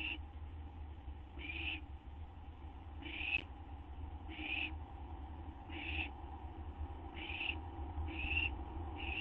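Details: Owl's rasping hiss-calls as it waits for a treat of gopher or vole, after midnight on September 8, 2011; seven short noisy bursts at irregular intervals with a steady low hum beneath.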